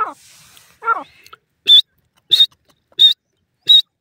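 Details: Francolin (teetar) sounds: a couple of lower rasping notes, then four high, squeaky whistled notes repeated about every two-thirds of a second.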